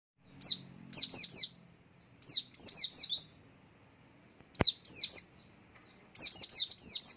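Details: White-eye swaying while it sings, a song meant to lure other white-eyes into singing; high, sharp descending chirps in quick clusters of three to four, separated by short pauses, over a faint steady high whine.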